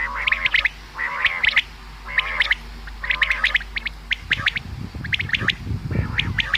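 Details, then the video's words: Common quail calls used for hunting: quick groups of clipped high notes over a lower, wavering harsh tone, repeated about every second, before rustling noise takes over near the end. "Bedana new common quail sound | शिकार के लिए बटेर की आवाज | btair ki awaaz | بٹیر"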